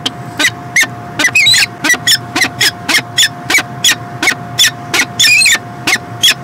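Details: Peregrine falcon, Montreal, Canada, 2016: a rapid series of harsh, scratchy calls about every third of a second, with a few longer grating notes, above constant background hiss and a steady tone.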